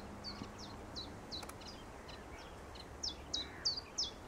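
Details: Common chiffchaff (Phylloscopus collybita) singing at Rutland Water Nature Reserve in May 2021: a steady run of high, clipped notes, about three per second, faint at first and growing louder toward the end, over soft background hiss.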